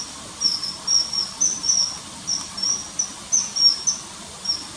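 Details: Riverside common kingfisher in early September 2020, hovering and catching small fish; added call track of clear, shrill, slightly drawn-out whistles, about two a second with a brief pause midway, faint hiss underneath.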